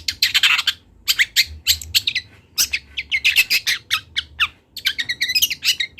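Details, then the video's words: Long-tailed shrike youngster of the local Kendal strain, still learning its song: dense rapid chatter of scratchy, squawking notes and short buzzy trills in quick runs, with a brief pause between bursts. "MASTERAN CENDET TROTOL BELAJAR BUNYI"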